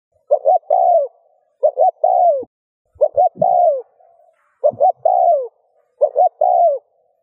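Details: Spotted dove cooing in the rút bổi style to get other doves cooing. Five steady phrases, each of two quick notes and a longer falling coo, spaced about a second apart.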